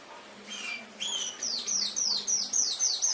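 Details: Canary on a master recording meant to train pet canaries, opening with a couple of soft upslurred whistles, then a quickening run of high, sharp, downward-sweeping trill notes.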